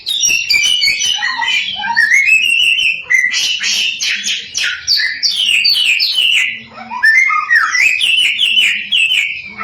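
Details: Continuous samyong song meant to excite other samyong into singing; varied whistled slurs mixed with harsh chattering bursts and quick rising notes, delivered almost without pause.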